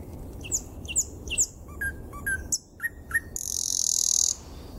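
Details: Thrush nightingale (Luscinia luscinia) singing in Kazan, 10 May 2016: sharp, high whistled notes and dry clicks, then lower repeated chucks, ending in a loud, harsh buzzing rattle almost a second long.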